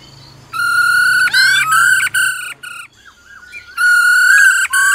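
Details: Female laughingthrush giving her "ro ro" call to excite a male. Loud, buzzy, sustained harmonic notes with interwoven rising slurs come in blocks, then a softer gliding whistle, then another long held burst.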